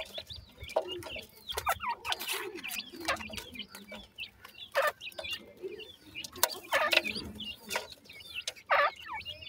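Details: Black francolin chicks, dakhni and sindhi teetar, playing while feeding; rapid little chirps and peeps overlap throughout, with loud dry clicks, scuffling noises and occasional lower squeaky notes.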